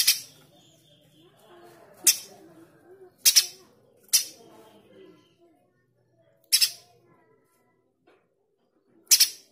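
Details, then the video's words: Male streaked spiderhunter used as a training master for songbirds, delivering loud, rough staccato bursts, often doubled, at uneven intervals of one to three seconds, with a faint low murmur behind. "Pijantung gunung jantan gacor tembakan kasar"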